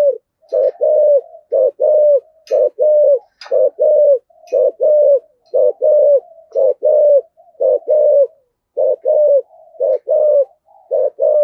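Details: Spotted dove singing in the 'giọng thổ' style with 'thúc gù' urging coos, used to stimulate wild doves: steady series of low hollow coo phrases, each a few quick notes ending in a longer slurred note, repeated about once per second, with a few faint clicks.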